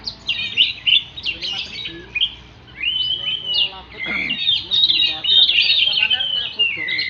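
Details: Oriental magpie-robin singing: a continuous, high warbling stream of rapid chirps, trills and short whistled slurs with a few rising sweeps, over low background hum.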